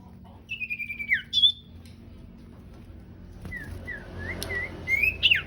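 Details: Sooty-headed bulbul song, a male and female pair, played daily as a training recording for other songbirds: short clear whistled phrases, first a falling slurred whistle, then a run of quick rising and falling notes ending in a bright upward flourish.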